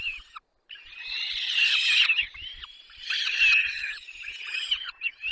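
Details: Peregrine falcon nestlings calling as they are fed, Barycz Valley, Poland, May 2021: intense, high-pitched, rasping screams in two long bouts with short breaks and a few soft low knocks.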